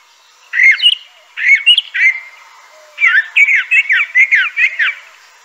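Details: Crissal thrasher song phrases: varied slurred whistles and warbles in short bursts separated by pauses, then a longer run of tumbling notes.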